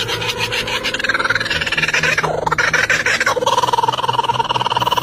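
A kookaburra gives a rapid, rasping chatter of harsh pulses, about three per second, rising and falling in a cackling run.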